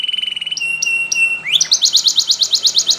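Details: Spanish Timbrado canary song used to train canaries to sing: a fast high trill, then a long level whistle with clicking overtones, then a rising slur into rapid metallic notes repeated about eight per second.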